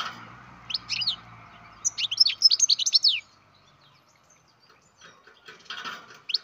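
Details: Captive-bred baby European goldfinch calling: a bout of rapid high twittering chirps around two seconds, a few scattered single chirps before and after, quiet low hum in the room.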